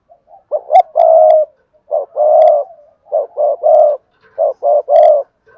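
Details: Spotted dove cooing in the Cườm Sa style, noted for a beautiful voice: low, mellow phrases repeat about every second and a half, each one or two short clipped notes leading into a longer rolling coo.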